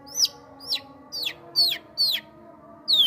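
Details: A kept Sooty-headed bulbul gives sharp, high, downward-sliding chirps, about five in three seconds with an uneven gap before the last, over a quiet low background hum.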